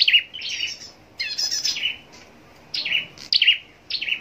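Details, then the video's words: Scarlet-backed flowerpecker in competitive singing, high slurred chirps and a dense buzzy twitter, then repeated sharp descending notes in quick phrases with short gaps. "Chim Sâu Đầu Đỏ Hót Đấu"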